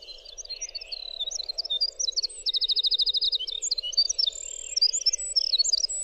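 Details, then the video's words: Winter wren singing clearly, a recording for training cage birds: continuous high, fast jumble of whistled notes with a quick rattling trill of a dozen identical notes midway, over a steady low hum. "suara masteran semua jenis burung jernih suara winter wren"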